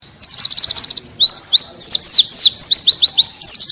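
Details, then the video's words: White-eye singing in the ngalas style, loud and continuous, as a training recording for cage birds: a quick run of about twelve very high chipped notes, then a string of sharp, downward-slurred whistles. "Masteran pleci bunyi ngalas Gacooor"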